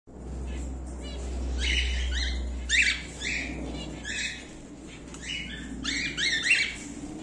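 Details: Emerald split cockatiel pairs, a rare mutation, kept as caged birds; harsh, buzzy squawking calls with bands of overtones, given in short bursts of one to three notes, faint low hum underneath.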